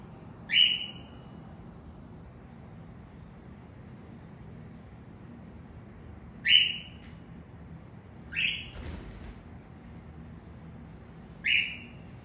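A cockatiel gives loud, shrill, slightly falling screeches, spaced a few seconds apart.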